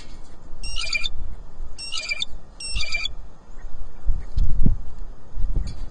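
Blue jay giving three harsh, raspy screams about a second apart, then going quiet, with low rumbling wind or handling noise throughout.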